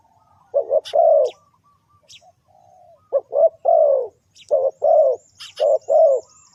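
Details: Spotted dove lure call used for trapping: deep, husky three-note coos with a rising start and long falling last note, repeated in phrases a second or two apart, with faint high bird chirps between.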